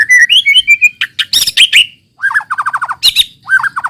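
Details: Song of a white-rumped shama, played to spur other shamas into singing: rich whistled phrases mixed with harsh chattering notes and quick repeated downslurred elements, loud and varied.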